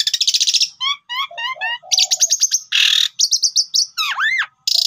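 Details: Pied myna in full varied song, used to prompt other birds to sing: rapid buzzy trills, quick rising whistled notes, a harsh noisy burst, a string of sharp chips and arched swooping whistles.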